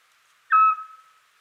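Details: One short, pure whistled note of a Eurasian scops owl, a single clear tone with a soft fading tail, given on a quiet spring night while advertising territory and looking for mates.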